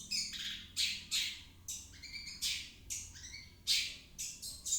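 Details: Long-tailed shrike song played to coax a silent shrike into singing. Grating, squawky bursts alternate with brief whistled notes, coming in uneven phrases about every half second.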